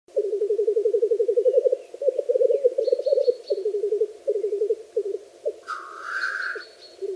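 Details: Black grouse lekking on a frosty bog on a spring morning: a low, rapid, dove-like bubbling in long pulsed runs, then a sharp hissing burst, with faint high chirps from other birds.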